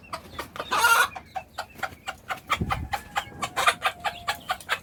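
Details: Hen calling her chicks to food: short sharp clucks repeated rapidly in a steady series, with a couple of louder harsh squawks and high thin chick peeps between the clucks.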